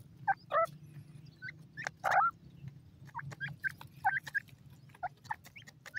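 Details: Young grey francolins peeping: short squeaky chirps in irregular clusters, two louder notes around the middle, with a faint low background drone.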